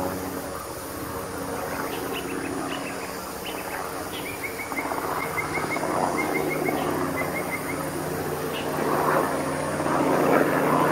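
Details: Black-faced Cuckoo-shrike young on the nest, being fed by a parent at Oxley Creek Common, give a fast run of thin, high, evenly spaced chips, several per second, over steady wind or traffic rumble.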